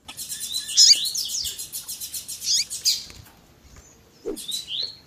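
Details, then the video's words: Coleiro (Double-collared seedeater) in 'tui tui zel zel' style mixed with female chirping, meant to excite kept males: about three seconds of dense, fast high twittering, then quieter slurred notes and a late sharp chirp. "COLEIRO TUI TUI ZEL ZEL COM PIADO E CHAMANDO DE FÊMEA MUITO QUENTE CHAMANDO E MACHEANDO MUITO."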